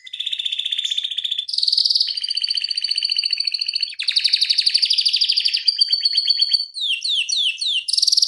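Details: Canary singing a fast, tight 'ngeroll' rolling song used as a tutor and prompting recording for other canaries. Dense trills follow each other without pause, shifting pitch between rolls and ending in quick downward-sweeping buzzy notes.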